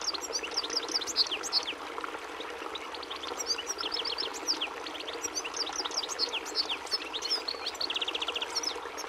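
European goldfinch singing a fast, tinkling twitter of high chirps and short trills, almost without pause, over a steady low hiss like running water.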